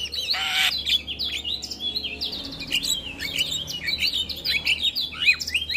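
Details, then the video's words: Morning song of a male Javan myna in full voice, a harsh rasp opening a continuous high chatter of rapid squeaky, twittering notes without pause. "Masteran Jalak Kebo Pagi Hari Jalak Kebo Jantan Gacor Full isian"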